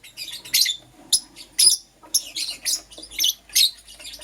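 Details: Lovebirds, a Green Personata and a Yellow Pastel Pied, chatter in the morning with harsh, high squeaky chirps, some single and some in tight clusters, almost continuous through the short stretch.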